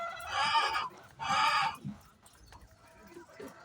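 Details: Chicken making noise before laying eggs: two loud, harsh, harmonic squawks under a second long, about a second apart, then softer low murmurs and quiet background.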